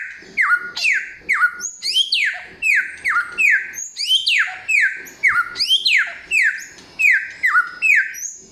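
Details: Loud, clear samyong song of many varied notes: repeated downslurred whistles interleaved with high twittering and a few long rising sweeps, delivered in quick bursts with short gaps.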